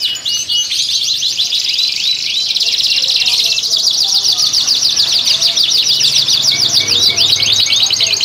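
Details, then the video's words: Caged canaries in a breeding collection singing in breeding condition, recorded to stimulate females: dense high rolling trills and warbles run continuously, several birds overlapping, with faint speech in the background. "Pancingan Kenari Gacor, Betina Langsung Ngleper, Kenari BUNYI BIRAHI Ngerek"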